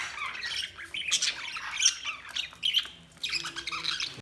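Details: Budgies chirping in repeated bursts of raspy squawks and busy warbling chatter, with brief pauses between each outburst.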